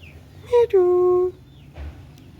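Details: Pet green ringneck parrot talking: a short voiced syllable followed by a longer, steady, slightly falling tonal syllable, together lasting under a second, then quiet with faint background noise.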